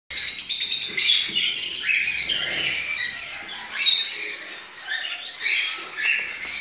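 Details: Rosy-faced lovebirds at an exotic bird breeding facility in Campinas; shrill, squeaky chirps and short harsh squawks in dense overlapping bursts, with brief pauses between busier stretches.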